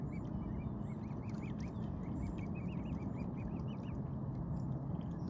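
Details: Six-week-old mute swan cygnets, feeding on seeds with their parents, give a quick run of thin, high, arched peeps, about two a second, over a heavy low rumble of wind or water.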